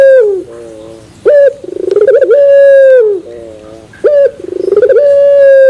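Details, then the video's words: Turtle dove of the puter pelung type gives its terasan bermetal song: a quick stuttering burst of notes runs into a long, sustained, resonant coo that dips low at the close. The phrase comes twice. "Puter Pelung Terasan Bermetal"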